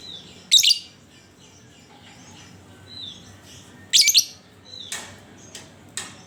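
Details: Lovebird chattering ngekek used as a lure to get other lovebirds singing: two loud scratchy bursts about three seconds apart, then fainter rasps, with soft high whistles in the background.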